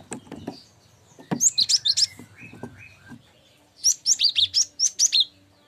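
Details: Cinereous tit song as tutor material for songbirds: two clean runs of quick, high, whistled notes, each about seven notes long, separated by a short pause, with a few soft taps.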